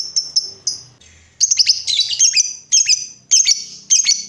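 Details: Lovebird song used to stimulate other lovebirds, high piercing whistles followed by bursts of harsh rapid chattering in short phrases.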